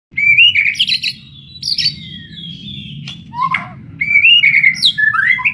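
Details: White-rumped shama, called burung sultan or murai batu in Indonesia, kept as a fighter bird, sings loud varied phrases of bright warbles and slurred whistles, broken by a short pause and then another rich burst, over a low rumble.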